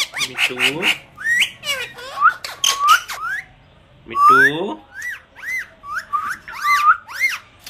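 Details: Pet parrot repeating the word "mummy" and mimicking speech indoors: clipped voiced syllables, then a run of sharp whistled notes arching up and down, some squeaky chirps, spaced by short pauses.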